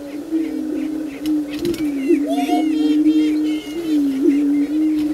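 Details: Greater prairie chickens on the booming ground before daylight, dancing in courtship display: a continuous chorus of low, hollow, moaning hoots that swell and waver, overlaid by high cackling and whooping calls from several birds.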